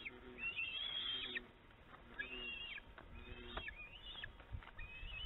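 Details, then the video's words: Bald eagle fledglings squabbling over food at the nest, late afternoon, June 25, 2019; drawn-out high whining squeals with bending, wavering pitch, several in a row with short gaps, plus soft low knocks and rustles. "Late Afternoon Fight over Food"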